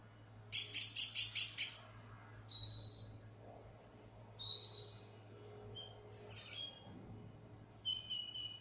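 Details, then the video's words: A lost black bird opens with a quick rattle of about eight harsh pulses, then gives pure high whistles, some doubled, and a few scratchy chirps; the background is quiet. "Lost Black Bird making amazing sounds"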